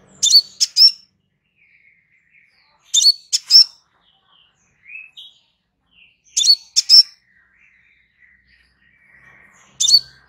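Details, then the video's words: Crimson sunbird singing a relaxed master song for training birds: paired high chip phrases with whistled tails, repeated about every three seconds, separated by faint short warbled notes. "Suara SANTAI Kolibri Sepah Raja"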